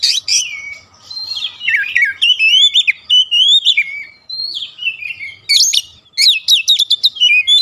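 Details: Oriental magpie-robin song meant to provoke others: sweet sliding whistles and wavering notes run almost continuously, ending in quick sharp high chips and bright falling whistles.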